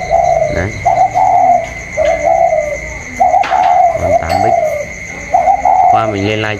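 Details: Captive spotted dove, 'cu còi' type, dueling with a wild dove outside on 27 October 2022; soft hollow coos in quick succession, with a man's voice cutting in twice near the end over a constant high-pitched hum.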